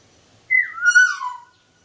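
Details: Pet sun conures calling indoors: one clear, tonal call about one second long that starts high, drops quickly, then glides gently downward with a rich, ringing quality, set against a quiet background.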